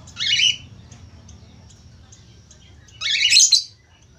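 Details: A budgerigar gives two short bursts of harsh, scratchy chattering about three seconds apart, with faint clicks between them, a lure recording meant to get other budgerigars singing.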